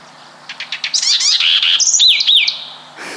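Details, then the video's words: House wren (chercán) in Chile, a small bird usually hidden in shrubs, sings a very loud, fast jumble of high chattering notes and bright rising-falling whistles, packed into about two and a half seconds. "Y tiene aunque es chiquitito, tiene un canto súper fuerte."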